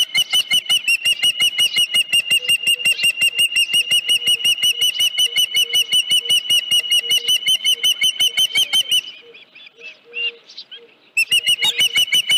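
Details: Long, relentless chain of sharp, high whistled chirps, nearly three per second, from an Osprey at the Dunrovin Ranch nest on 31 July 2018, 9:43 AM, headless fish present. A brief softer pause comes before the chirping resumes, with a faint low pulsing tone beneath.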